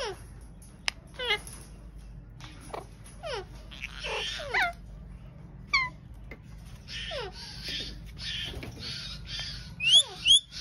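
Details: Pet Indian ringneck parrot giving rapid sliding chirps, harsh noisy squawks and a pair of sharp high screeches near the end, with quiet room background between bursts.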